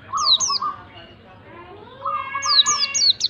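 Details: A white-eye sings to coax a quiet bird into song: a couple of high falling whistles over a lower wavering trill, a brief lull, then the low trill returns, topped by more descending whistled notes.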